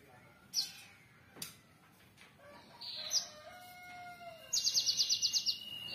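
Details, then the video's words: Java sparrow (gelatik wingko) song mixing sharp isolated high clicks, a drawn-out thin whining note sliding slightly, then a fast run of about nine crisp high ticking notes at the end; faint background noise throughout. "suara burung gelatik wingko"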